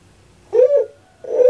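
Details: Captive puter pelung dove in Java, Indonesia: two brief, rounded coo notes about three quarters of a second apart in a quiet indoor setting.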